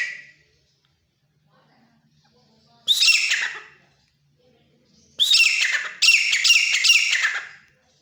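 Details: A wild-caught Grey francolin kept at home calls in loud, harsh bursts. After a brief opening note there is a pause, then one burst, then a longer series of strident, pulsing notes.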